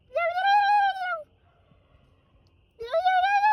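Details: Pet turkey answering its owner's noises with two drawn-out, tonal whines, each sliding up then holding steady for around a second.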